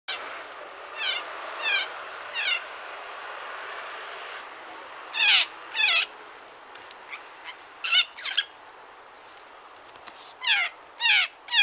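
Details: Blue jay giving harsh, downslurred calls rich in stacked overtones, delivered in quick bursts of two or three, with short quiet gaps between bursts and a faint steady hiss behind.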